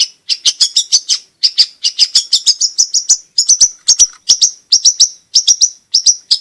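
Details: Gacor song of a long-tailed shrike, used to lure silent shrikes into song and to tutor young birds; dense clusters of sharp, high chips delivered almost without pause.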